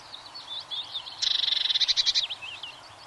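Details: A single bright, rapid trill of a Eurasian blue tit, about a second long, set among quieter whistled chirps from other birds.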